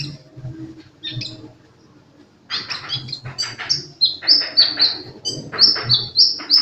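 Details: Sunbird singing vigorously: after a quiet start, a fast run of sharp, high chirps and short thin whistles, some downward-slurred, repeated several times a second over a low background hum.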